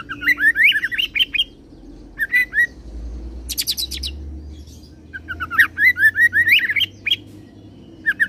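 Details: Oriental magpie-robin song in a cililin roll joined to serindit mimicry: clear whistled rising-falling notes repeated in quick runs, broken by short buzzy high rattles, with a faint low hum behind.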